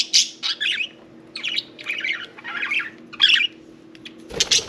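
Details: Pet budgie bathing and chattering: scratchy warbled notes and squeaky chirps in loose phrases, ending in a sudden burst of splashing or wing flapping. A steady background hum.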